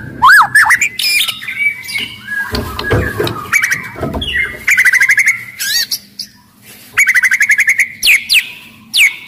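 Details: Aggressive, loud white-rumped shama in Indonesia singing to stimulate other shamas to sing and fight; loud varied song of sweeping whistles and rapid repeated trills around the middle pitches, with harsh squawky notes and some handling noise.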